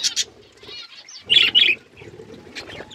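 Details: Budgerigar flock feeding: scattered bright, high chirps come in short bursts, with a loud pair of chirps near the middle and quieter chatter and low rustling between them.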